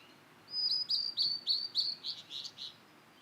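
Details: Blue-and-white flycatcher, a wild bird in rural satoyama, gives a quick series of about eight high whistled, down-slurred notes, the later ones slightly lower and rougher, spanning two seconds with quiet surroundings.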